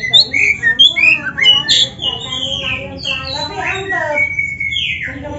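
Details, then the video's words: Oriental magpie-robin, black-breasted form, in rich song filled with canary-like phrases, used to draw out other birds: bright whistled chips and slurred notes, then long descending buzzy glides, over a low murmuring background. "MASTERAN KACER GACOR FULL ISIAN MEWAH KENARI⁉️ || BURUNG KACER DADA HITAM COCOK buat PANCINGAN‼️"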